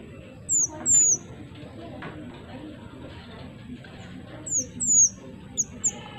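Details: Actively singing pied triller recorded to lure wild birds; sharp, high, down-slurred whistles in pairs, with a quiet gap of about three seconds, then a quicker burst of four brief notes, over low background noise.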